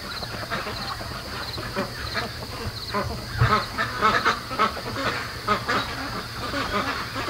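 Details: Nighttime chatter of domestic ducks at 3 AM, raised 73 days and soon moving to a lake; irregular short quacks and murmurs from many birds, some louder bursts midway, low steady hum behind.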